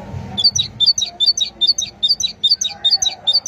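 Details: Continuous great tit song, a bright see-saw two-note phrase repeated rapidly and regularly, roughly two and a half times per second, with faint low rumble beneath.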